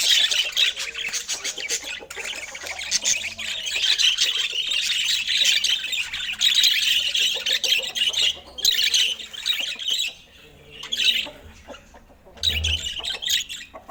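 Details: A group of pet budgies at fresh fruit food time chatters continuously, then pauses briefly twice before the high squawking babble resumes, with a faint low thump near the end.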